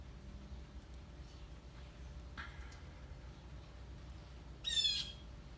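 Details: A blue jay feeding at a backyard bird feeder in northern New Jersey gives a faint, harsh squawk, then a loud, raspy, buzzy one about two seconds later, over a low, steady background rumble.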